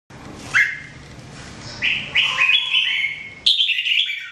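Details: Red-whiskered bulbul (jambul) singing, recorded for training birds in 2017: a clear rising whistle, then a run of bright liquid whistled notes, sliding and chattering, with a last burst of stronger phrases near the end.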